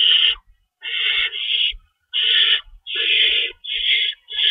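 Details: Nest-site owl recorded at feeding time before dawn, 3:53 AM, March 25, 2012, with two rabbits in the nest larder: long rasping, hissy screeches lasting up to a second, separated by short gaps, plus faint low thumps.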